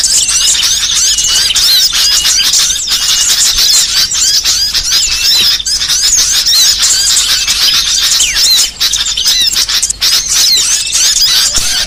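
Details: Varied small-songbird song for training songbirds: long, dense, shrill twittering with rapid whistled slides and squeaks, nearly unbroken, with brief dips toward the end.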